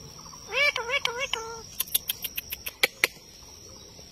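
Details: Pet Indian ringneck parakeet talking at a mirror: a short series of nasal, rising-falling voiced syllables, then a run of sharp clicks and taps, over steady faint hiss and a thin high tone.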